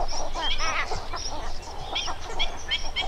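Cattle Egrets give overlapping harsh, croaking calls in a busy, colony-like chorus, with thin high notes from other birds and a low background rumble.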